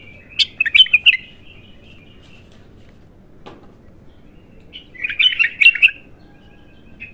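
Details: Bulbul giving its raw first song: a quick burst of bright, warbled chirps, a pause of several seconds, then a second denser run of sweet twittering notes in a quiet setting.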